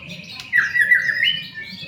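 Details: A white-rumped shama gives a harsh, drawn-out squawking note, wavering and buzzy, in a recording meant to coax other shamas into song.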